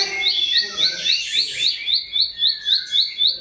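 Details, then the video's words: Bar-winged prinia recorded as tutor song for cage birds: a quick series of thin, upward-flicked high notes, about four per second, partly masked by a broad hissing burst midway. "SUara CIBLEK SAWAH, SI kecil buat Masteran Semua Jenis Burung"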